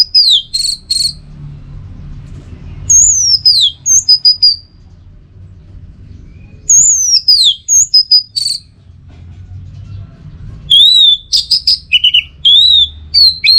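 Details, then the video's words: Orange-headed thrush singing, recorded as training and lure audio to draw out its 'teler' song: repeated bursts of high whistles, steep downslurs and quick varied notes, with short pauses and a soft low hum beneath. "Masteran sekaligus Pancingan Burung ANIS MERAH Agar Selalu Bisa Menikmati Telernya setiap saat"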